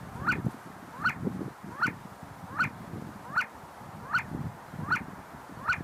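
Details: See-see partridges in a group, feeding and fighting inside the University of Sulaimani, Kurdistan: a clear, ringing note repeated steadily about every three-quarters of a second over a low rumble of background noise.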